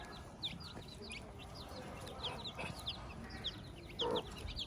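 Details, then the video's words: Hen with her chicks on a farm: many thin, high downslurred peeps from the chicks repeat throughout, with a short low cluck from the hen near the end. "sounds of the farm. Hilda the hen with her chicks"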